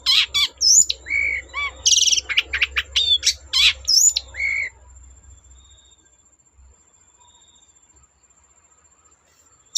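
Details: Long-tailed shrike singing to provoke other shrikes: four seconds of rapid mixed chirps, buzzy rasps and slurred whistles over a low rumble, then near silence with only faint background hiss.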